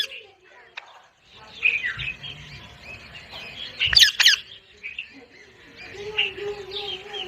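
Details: Parrot squawking in a harsh double burst midway, surrounded by softer chattering notes and a steady low hum.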